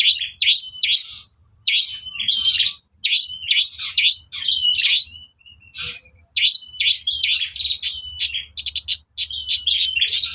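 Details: Long-tailed shrike singing, played to stir other shrikes into answering: bursts of rapid, scratchy chattering phrases with short gaps between them, some phrases ending in thin buzzy trills, and a faint low hum underneath.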